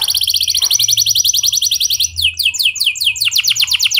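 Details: Canary in clear rolling song, played to coax other canaries into singing: a long even high trill, then quick downward-swept notes and a faster buzzy roll toward the end.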